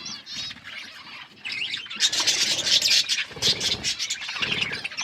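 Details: Several budgies chirp as they eat, giving a dense, noisy warble that starts thin and grows louder and busier halfway through, with rapid overlapping scratchy notes and squeaks.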